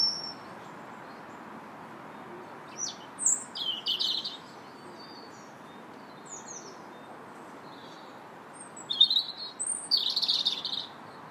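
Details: Park robin singing on March 2nd: two separated bursts of scratchy, twittering high notes mixed with thin whistles, with quiet gaps between phrases and a soft hiss of outdoor background.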